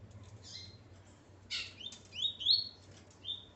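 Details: A male coleiro, together with his female, gives a few scattered high notes. These are followed by a clearer run of rising, buzzy slurs and a final thin whistle, over a low steady hum.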